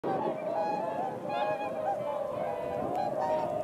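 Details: Swans in early February around 8 a.m., running upwind before taking flight; a dense chorus of overlapping nasal honks from many birds, steady and continuous with slight rises and falls.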